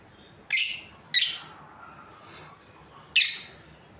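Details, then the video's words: A breeding pair of lovebirds: sharp, raspy high chirps, two in quick succession, a softer distant one, then a final loud chirp after a gap, indoors. "Amazing Lovebirds Chirping Sounds | breeding pair"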